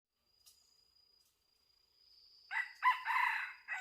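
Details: Red junglefowl crowing during hunting with a decoy bird: after quiet seconds, a harsh, broken crow arrives in the last second and a half, rising in bursts, over a steady thin high whine.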